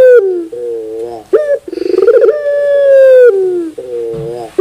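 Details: Barbary dove (puter bird) cooing loudly and close: a short wavering coo, a sharp rising note, a fast rolling stutter, then a long steady drawn-out coo before more low wavering notes.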